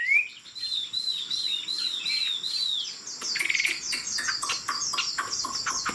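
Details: Tame Chinese hwamei, fig-leaf tail, singing from a high perch; a rising whistle, a run of arched whistled notes, then harsher rapid chattering notes.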